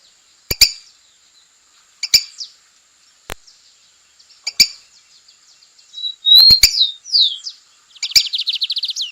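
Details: Wild lined seedeater in full song: sharp clicks for several seconds, then a clear rising whistle, slurred descending notes, and a rapid buzzy run of high repeated notes.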